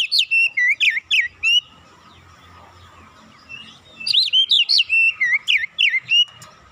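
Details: Oriental magpie-robin song carrying imitated tit song, used to lure and train birds: two energetic runs of piercing whistles, roughly four notes per second, each swooping up and down, split by a short quiet gap.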